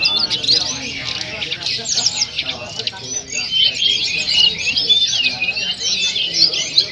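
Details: Lovebird singing with a mountain tledekan (flowerpecker) song fill-in: rapid, high, continuous chattering with squeaky trills and twittering notes run together without pause, over a faint background murmur.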